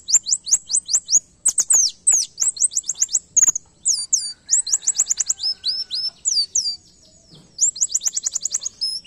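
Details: An Oriental white-eye sings a canary-style tutor song: rapid runs of high, thin, up-slurred chirps broken by brief pauses.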